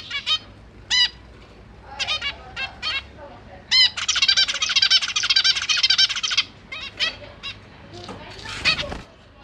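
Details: Caged zebra finch family, three juveniles and three fledglings fed by their parents, January 2023, GoPro Hero 8: scattered nasal calls, then a sustained rapid buzzy begging burst of about two and a half seconds, then more single calls.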